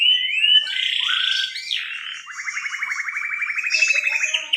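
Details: Canary (kenari) singing a 'cengkok super' song style: smooth sustained whistled notes and a sharp downward-sweeping slide, then a long, even, rapid trill of repeated clipped notes that rises slightly, ending in higher chirps.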